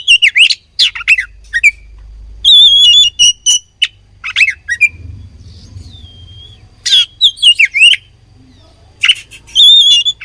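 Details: Fighting bird, an oriental magpie-robin, sings varied phrases: rapid chirps and twisting whistles, level pure whistled notes, and a gliding tone in a quieter middle section. The bursts resume toward the end.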